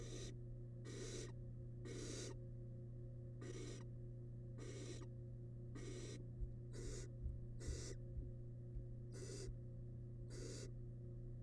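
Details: Wild barn owl nestling in a monitored nest box, eating large rabbit remains; harsh broadband hissing bursts about half a second long, repeated roughly every second, over a steady low electrical hum and faint scratching.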